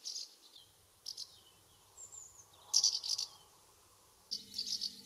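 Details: Several common house martins circling their nest site during the UK summer: dry rattling chirrups in bunched bursts, a thin high whistle, and louder twittering toward the end.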